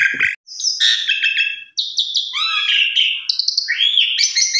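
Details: Energetic Javan pied starling song for luring other birds, opening with a low rattle, then a run of grating chatter, warbling slurs and bright whistled notes.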